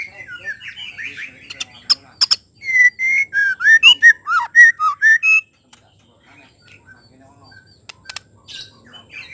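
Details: White-rumped shama song meant to provoke other shamas into singing: varied whistled and slurred notes at first, then a loud run of about ten rapid, clear, bouncing phrases, followed by near silence with a few faint notes.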